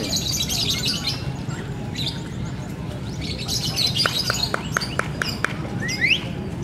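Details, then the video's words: Lovebird competing at the Bupati Cup bird singing contest in the Kulon Progo town square, Indonesia, on 19 November. It gives bursts of shrill, high chirps and quick clicking rattles over a steady crowd murmur. "SUARA BURUNG - Lovebird"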